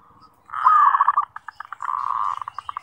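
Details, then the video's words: Zebra dove singing energetically as a training lure for other birds: a blurred, fast burst of cooing notes that breaks into spaced pulses, then a steadier rolling coo, over a faint low hum. "Pancingan Suara Perkutut MASTERAN Gacor Buat Harian Ampuh Melatih Bunyi"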